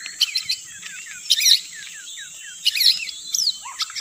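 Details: Lure recording of white-rumped shama: quick, high chirps and slurred twittering notes in short bursts about every second and a half, over a constant thin high tone.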